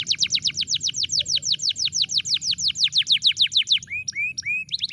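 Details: Canary song used to prompt a bird that has stopped singing: long runs of rapid descending whistled notes, about three per second, shifting near the end to short rising upslurred whistles.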